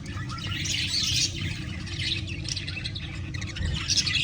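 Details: Spangle budgerigars, pet birds, chirp and chatter in rapid, scratchy bursts over a low background rumble.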